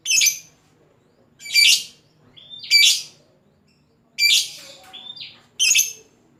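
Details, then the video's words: Lovebird giving shrill calls meant to lure and call a rival: harsh high squawking bursts repeated roughly every second or so, interspersed with brief thin whistles and faint low background hum. "suara burung lovebird pancingan lovebird ngekek panjang memanggil lawan"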